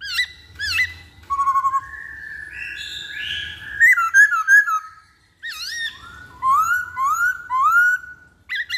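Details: Lure recording of a black-throated laughingthrush: clear slurred whistles and long held tones, a cluster of quick notes midway, then a flowing series of rising whistled phrases.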